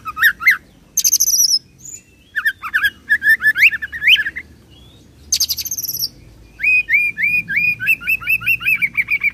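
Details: Oriental magpie-robin delivering a rolling song with imitations of cililin and serindit, mixing high squeaky bursts, looping whistled notes and, at the end, a long even run of repeated upslurred chirps.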